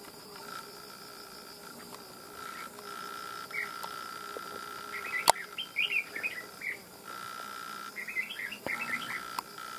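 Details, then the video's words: Newly tamed wild red-whiskered bulbul with a loud bell-like voice: after quiet single notes, two short bursts of rapid chattering whistles, over a steady mechanical-sounding hum and a couple of sharp clicks. "Bổi Cực Lì Sau Gần 2 Tháng 2 Ae Thay Nhau Bẫy.Đã Về Đội/Ché Đè/Bung Xoè/Cực Mau Mỏ Giọng To Chuông"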